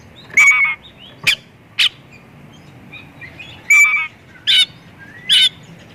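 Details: White-rumped shama song used to lure other shamas: loud short bursts of rich whistled and chattering notes, about six phrases spaced roughly a second apart, with faint whistles between them.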